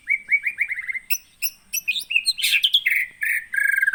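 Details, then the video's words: White-rumped shama kept captive in Aceh, Indonesia, trapped in 2017 at Aih Ilang (Sungai Merah) in Pining near Gunung Leuser: a fast run of upslurred whistled notes followed by sharp chips, a harsh burst and rapid buzzy trills. "MURAI BATU ACEH GUNUNG LEUSER"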